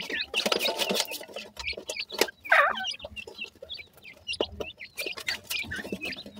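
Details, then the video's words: Several high, thin chirps from grey francolin chicks, brief downslurred peeps repeated unevenly, mixed with loud bursts of rustling and knocking close to the recorder. "grey francolin chicks speech,sweet voice of a baby pheasant"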